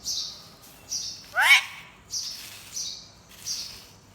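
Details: Pet parrot, said to be talking in Urdu, gives short high chirpy notes about every second, broken by one loud, harsh, descending squawk.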